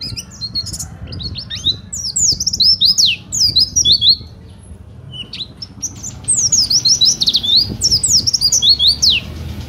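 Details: Oriental white-eye in sustained song for tutoring or luring other birds. Two long bursts of rapid, high, jumbled twittering are separated by a brief lull of softer chips.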